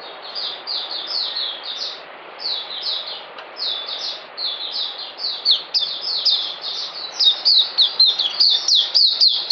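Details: Caged oriental white-eye in sustained song: rapid high twittering of short descending whistles, about four per second, growing louder and denser toward the end, over faint hiss.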